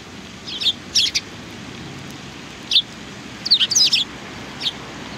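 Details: Several sparrows, recorded on 19 March 2019, give short bright chirps in quick clusters of two to four notes, with pauses between bursts, over a steady low background hum.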